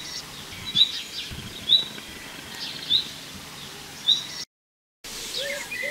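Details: A common chaffinch in a summer garden in the Arras region gives its call note: short, bright, upslurred notes, repeated about once a second.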